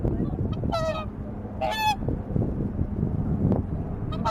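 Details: Swans resting at Lake Utonai in Hokkaido give two short trumpeting honks early on, with heavy low rumbling noise throughout and a faint call at the very end.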